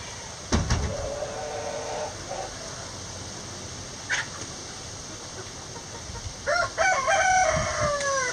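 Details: Backyard coop hens call in two loud bursts of stacked, nasal squawks, the first falling, the second a rapid run of notes, with thuds and faint hiss between.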